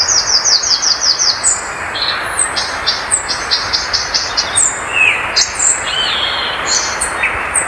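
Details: Violaceous Euphonia song opening with a rapid series of high clipped notes, followed by varied sharp whistles, buzzy phrases and downslurred notes in quick succession, over a constant hiss.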